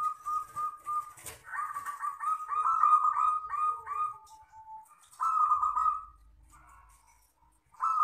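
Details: Local wild zebra dove giving long crystal-style song: a run of fast, bubbling trilled notes rising into stuttering pulses, then a softer falling tail, a fresh strong trill after a pause, and a click early on.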